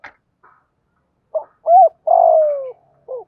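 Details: Spotted dove giving its 'thổ pha' style call to lure wild doves: a soft lead note, a rounded hooting coo, then a long buzzy coo sliding downward, and a final short coo.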